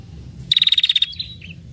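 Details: A single quick burst of about ten sharp, rapid high notes from a female red-headed prinia calling to lure males, ending in a faint thin whistle and a brief warbled chirp.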